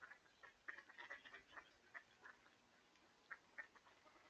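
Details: Mallards in January (11 January 2022) give soft, scattered quacks and low chatter, a few short nasal notes spaced irregularly over several seconds against a faint hiss.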